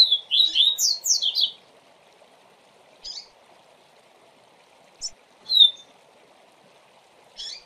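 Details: Tutor song in the Tui Tui Zel Zel style from a double-collared seedeater, used to train young birds. It opens with a rapid string of high sliding whistles, followed by sparse short notes and one loud clear whistle.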